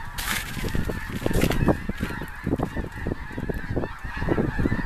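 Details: Snow geese massed by the thousands near a big lake, calling together: continuous overlapping honks in rapid uneven pulses, some sharper nearby calls standing out, all over a constant roar of the huge flock.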